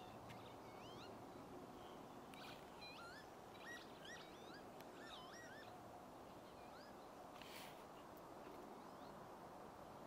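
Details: Northern lapwings (Vanellus vanellus) at Ljubljansko barje marshes, 22 April 2024 (Earth Day), give wheezy, slurred pee-wit calls, rising then twisting down, several in quick succession, over steady wind rush.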